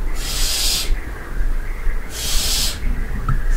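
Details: Barn owls at night in the dovecote of a castle at Barbirey-sur-Ouche: two long harsh hissing screeches, each under a second, about a second and a half apart, over steady low background rumble.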